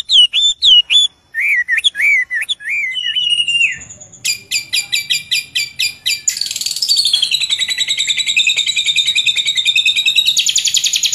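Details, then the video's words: A lovebird chatters in a long, high run: clipped chirps and squeaky rising notes at first, then fast buzzy rattling trills that go on without a break. "suara burung lakbet yang sangat indah dan menarik"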